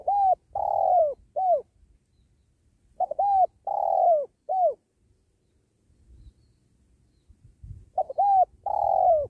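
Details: Spotted dove (tekukur) cooing during trapping beside a sacred tree; three phrases, each of short, clipped mid-pitched notes leading into a long, falling, mellow coo and a brief closing note, with soft low rustling between phrases.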